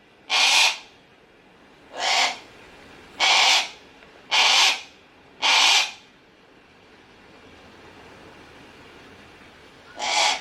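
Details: Captive Harris's hawk at Kakegawa Kachoen bird park in Japan, calling persistently: harsh, broad rasping screams about a half-second long, six of them, mostly a second or so apart with a longer pause before the last.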